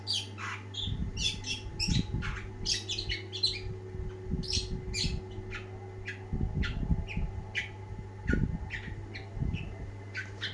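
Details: Long-tailed shrike song of quick scratchy chirps and mimicking phrases in irregular bursts, accompanied by low thumping and rumbling noises and a steady background hum.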